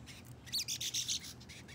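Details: Baby brown-headed nuthatch being hand-fed, with its father also perched in the hand, gives a quick run of about six high, squeaky chirps within a second, over a faint low background hum.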